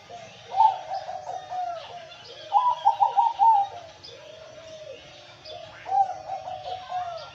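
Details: Energetic song of a male zebra dove: three phrases of quick stuttering trilled coos, each ending in an arched, drawn-out coo, repeated about every two to three seconds, with faint twittering of other birds behind.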